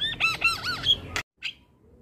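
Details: Javan myna master song, full fill-in: a series of wavering looped whistles, a sharp click, a brief silence, then one short squeak.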